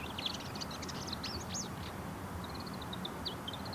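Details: Bull-headed shrike courtship song, starting with rapid high chatter and upward-sweeping whistles, then a brief gap before a neat series of small even chips ending in a slurred note.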